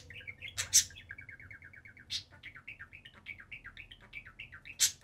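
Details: On top of their cage, two pet budgerigars trill a fast run of evenly spaced, wavering notes that speed up into a bubbling warble, punctuated by three sharp high clicks.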